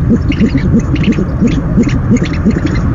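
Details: Owl recorded by a nest cam, night of 17 February 2015, as food is first delivered: a handful of short, low, arched notes evenly spaced about three per second, with faint higher ticks and background hum.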